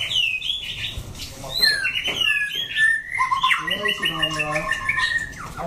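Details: White-rumped shama with orange plumage singing a wild-style song: varied clear whistles, short rapid upswept notes, then a run of stacked, evenly spaced ringing phrases toward the end.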